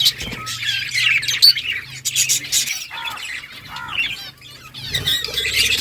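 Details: Budgies singing, their chatter of harsh squawks and twittering notes broken by a few clear, downward-curving whistles in the later seconds.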